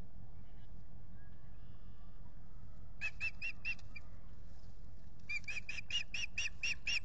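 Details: A mated pair of ospreys at a lakeside nest at Salt Point, recorded by nest camera in spring, April 19, 2021: after quiet, four quick whistled chirps, a pause, then a faster string of about seven, all over constant low background hum.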